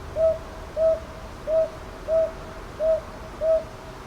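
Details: Northern boobook calling at Ichijoji, Sakyo Ward, Kyoto, Japan, 22 May 2023, TASCAM DR-100MKIII recorder; six clear, mellow hoots spaced evenly in pairs over quiet low-frequency hum.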